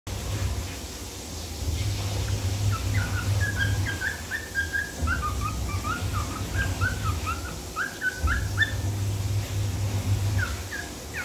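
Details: Cockatiel whistling the Pink Panther tune: a run of clear whistled notes, sliding up and down, some short and clipped, others drawn out, with a brief pause before a final pair of notes, over a steady low hum.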